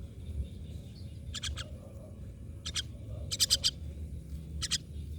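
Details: Myna giving short harsh, raspy bursts in clusters of two to four, repeated about once a second, set against a low steady background hum.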